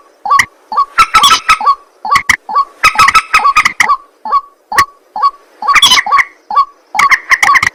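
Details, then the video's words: White-breasted waterhen calling at night: loud, harsh, nasal notes in dense chattering bursts, broken by single softer clipped notes at a steady pace of about forty-four per minute. "ruak ruak mandar batu mp3 2 suara burung malam hari"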